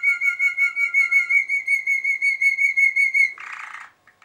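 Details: Malinois Waterslager canary recorded in 2023, singing a clear, pure whistled note that pulses rapidly, about three beats per second, for three seconds, ending in a short rough burst and then quiet.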